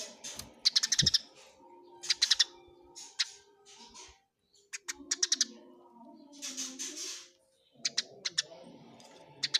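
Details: Eurasian tree sparrows fighting, bursts of sharp high chirps in tight clusters separated by short pauses, with a faint low hum and soft background chatter.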